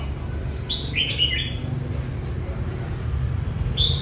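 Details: Red-whiskered bulbul in song training for a competition, two quick whistled phrases slurring downward, then a single bright note near the end, over low rumbling noise.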